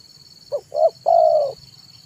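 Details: Zebra dove singing in the afternoon as a lure: one phrase of a short coo, a rising second coo and a long level purring coo, with a faint high hum in the background.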